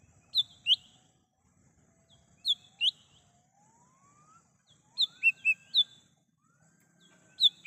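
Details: Wild lesser green leafbird, recorded to lure and call birds: pairs and groups of high whistled notes, interleaved with longer lower whistles that glide upward, over a faint low background rumble.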